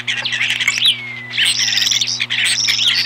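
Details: A pair of ospreys defending their nest from an intruder in April 2015 give loud, continuous, shrill, squealing calls with rapid chirping notes and a few drawn-out whistled slides, over a steady low electrical hum.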